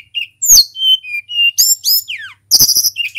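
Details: Energetic song of a local Tledekan gunung, used as a singing lure: clear high whistles at steady pitches, a falling slurred phrase, then loud bursts of high chattering notes.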